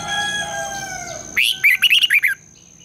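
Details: Lure song of a red-whiskered bulbul for morning training, long double twisting style: after a drawn-out tonal sound, a burst of six sharp, looping whistled notes lasting about a second. A high constant whine runs throughout.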